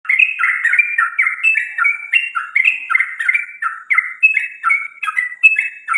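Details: Bird singing in the morning: a fast, continuous stream of short chirpy, slightly buzzy two-pitched notes, alternating up and down, several per second without pause.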